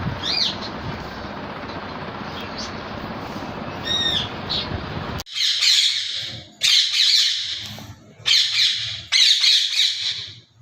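Alexandrine parakeet giving four loud, harsh, raspy screeches about a second long each, following a few thin whistled chirps over steady background hiss.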